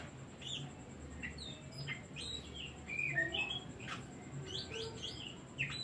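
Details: Oriental magpie-robin in full song, meant as a lure to trigger singing in other birds: a busy run of varied chirps, slurs and sharp whistles, nearly continuous, over a constant thin high tone.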